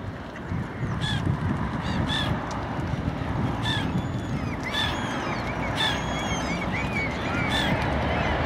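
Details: Noisy black-headed gull (Chroicocephalus ridibundus) giving harsh, rasping squawks about every second or two over a steady low rumble of wind or traffic, with faint thin calls from other birds.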